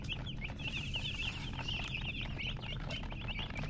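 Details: Baby chickens chirping busily, with rapid, high peeps that rise and fall, packed closely together and overlapping throughout, over a steady low rumble of background noise.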